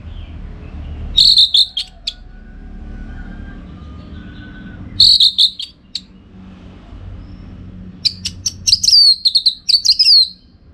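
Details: Orange-headed thrush (anis merah) singing for contest training, Bali: bursts of rapid high chips and whistled notes recurring every few seconds, with a slurred flourish near the end.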